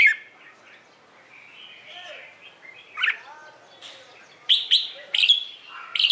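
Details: Morning competition song of a Red-whiskered bulbul, aimed at getting newly caught birds to sing along: soft warbling and low chirps give way to sharp, emphatic whistled notes in quick succession toward the end.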